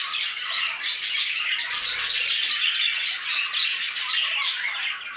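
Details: Many budgerigars in an aviary chatter and squawk continuously. Raspy notes and short whistles overlap, with a brief low hum in the background near the middle.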